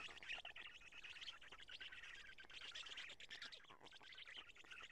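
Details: Black stork at a nest in Karula during a nest change and feeding, evening of 2 June 2017 at 20:04; continuous harsh, raspy, buzzy calling with rapid scratchy pulses, fairly faint against background hiss.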